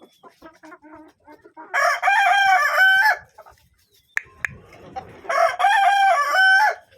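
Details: Kadaknath rooster crowing twice, each a loud, harmonic, drawn-out call ending in a rising note, separated by a few seconds of quiet clucks.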